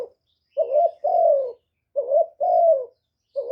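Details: Spotted dove decoy call for exciting other doves, clean recording: two phrases of soft low coos, each a short rising note followed by a longer sustained falling note.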